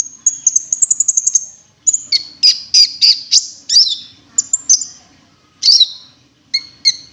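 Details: Wingko-style cinereous tit lure: a rapid high stuttering trill, then a run of sharper descending chirps repeated about twice a second, closing with spaced two-part whistles.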